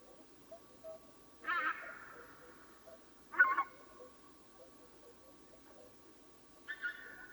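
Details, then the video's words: In the predawn dark, swans give a loud trailing honk, then a sharper second honk two seconds later, and a final drawn-out call after a long quiet gap with faint low notes between. "Som de cisnes durante madrugada"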